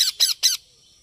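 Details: Baby parrot uttering three loud, harsh squawks in quick succession, each about a tenth of a second long, then silence.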